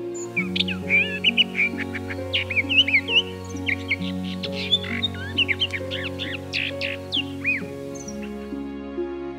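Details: A captive Orphean Warbler, a songbird kept at home and described as a Sylvia warbler noticeably larger than the blackcap, sings a rapid, varied run of short whistled and chirping notes over background music.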